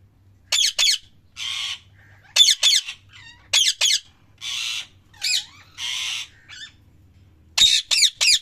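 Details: Loud parrot calling, with paired harsh screeches alternating with longer buzzy, raspy notes and one rising whistled note, delivered in a fast uneven stream.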